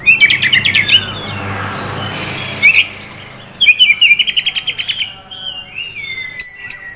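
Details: Oriental magpie-robin kept in a cage, a prospect bird from a Kisaran dealer, sings bursts of rapid high chattering notes, then a varied string of sharp whistles and a long clear rising whistle near the end.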